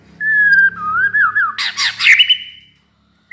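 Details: Home-kept white-rumped shama, never entered in a contest, sings a long clear whistle that wavers and dips, then breaks into a buzzy rattling burst and a rising whistled ending, followed by silence.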